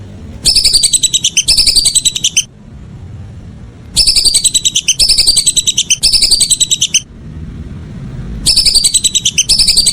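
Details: Evening calls of a whistling duck, rapid whistled notes strung into one-second bursts, given in three paired runs separated by quiet gaps of about a second and a half.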